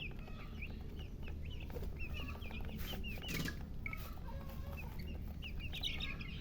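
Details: Chicks chirping with a hen: scattered high falling peeps from several birds, a brief burst of broadband noise midway, and strong low rumble throughout.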